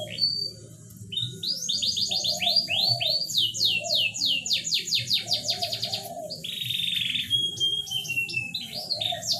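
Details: Canary song played to stimulate a reluctant bird to mate: fast rolling trills of rapid, steeply falling notes, then a flat buzzy whistle and scattered chips, over a low steady hum.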